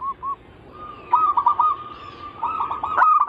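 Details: Zebra dove song for drawing other zebra doves to sing: two brief soft coos open, then two rapid bubbling, stuttering phrases of rolled notes, each ending in a sustained level tone.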